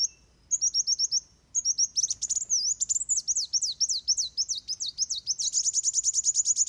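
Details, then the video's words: Van Hasselt's sunbird in fighting song, used as training material for birds: a few high whistles open into a long, fast, continuous run of sharp, very high chattering notes. "Suara Kolibri Wulung Tarung Buat Masteran"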